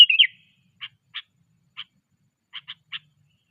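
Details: Sooty-headed bulbul under training starts with a brief bubbling whistled phrase, then gives six short, dry chip notes, some spaced singly and some closely grouped, over a silent background.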